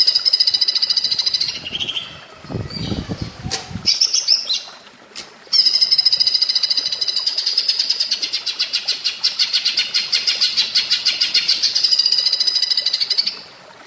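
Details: Training-tape song of a greater green leafbird imitating a flameback woodpecker: high rattling trills broken by a short noisy interruption, then a long, steady run of rapid shrill pulses, about three per second.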